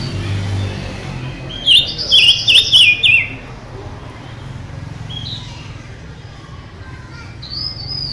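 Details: Intense song of a mutant silver-eared mesia: a burst of four bright, wavy whistled notes in quick succession, later two faint thin whistles, with low hum throughout.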